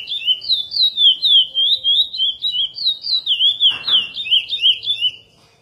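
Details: Chestnut-bellied seed finch (curió) of the praia song style, edited for song training: a loud, continuous run of whistled, warbling notes sliding up and down, about three to four per second, with a brief click midway.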